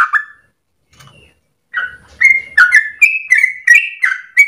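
A Yellow-vented Bulbul pours out bubbly, gurgling phrases of liquid notes, repeated almost three times a second after a brief opening call and a pause.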